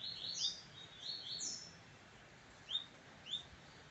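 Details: Brown-plumaged double-collared seedeater kept as a pet, singing while facing another brown bird; a quieter burst of high, buzzy whistled notes, then two isolated sharp chips after a pause, over a soft background hiss.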